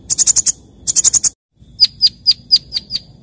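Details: Sunbird singing in the morning: two quick bursts of high, rattling notes, a brief silence, then a series of six crisp, evenly spaced sharp chirps.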